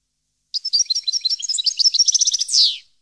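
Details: European goldfinch in 2015 at Parva delivering a tinkling, chattering phrase that speeds into a rapid trill and finishes with a harsh, downward buzz.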